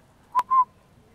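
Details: Northern pygmy owl in a yard on a property in La Pine, Oregon, where it was eating a quail: two short whistled notes at the same low pitch, the second longer and steadier, with near silence around them.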